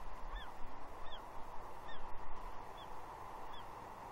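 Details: At Two Harbors on Catalina, June 30, 2021, a juvenile female bald eagle perched near her father begs for fish with short high downslurred squees, about one every 0.8 seconds, over breezy ambient noise.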